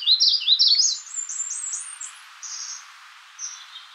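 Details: Magnolia warbler song of rapid slurred notes that step upward in pitch, trailing into softer, higher chips and a couple of faint drawn-out whistles.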